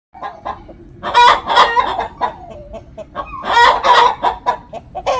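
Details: Hen calling before laying an egg; loud, harsh, nasal cackling notes in uneven bursts, some short clucks building into strident drawn-out squawks, repeated in two main surges.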